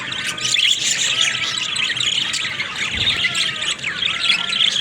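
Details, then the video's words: Budgerigars chatter continuously in a dense, buzzy warble full of rapid chirps and squeaks. Faint arching whistled notes recur roughly every second beneath the busy high-pitched chattering. "Funny Talking Budgies"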